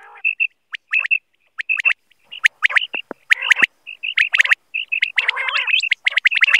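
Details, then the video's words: Quail, said to be a single male giving its night call as used in quail hunting, gives short, sharp, high notes in quick bursts about once a second, mixed with harsh clicking and crackling, in a rough, distorted recording. "Batair ki awaz batair hunting Batair ki night awaz"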